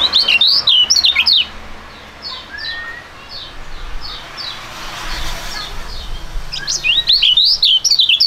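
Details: Two young songbirds in Indonesia, a duet of a storing and a prugut noted for fighting style and contest success, giving rapid high chirping trills in bursts at start and end, with softer repeated notes and background noise between.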